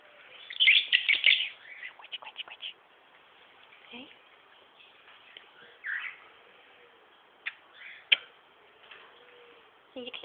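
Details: A male pied cockatiel, chattering as he habitually does, bursts into loud scratchy chirps, then scattered single tweets and squeaks, with a woman's soft voice talking to him.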